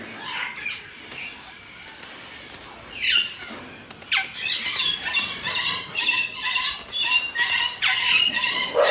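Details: Alexandrine parakeet calling: a run of loud, harsh, descending squawks repeated rapidly, some rasping and broken, after a quieter opening with faint chirps and background hiss.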